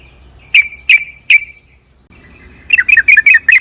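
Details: Yellow-vented bulbul singing a lure song meant to set other bulbuls singing: three spaced, sharp, whistled notes, a short silence, then a quick bubbling sequence of warbled notes.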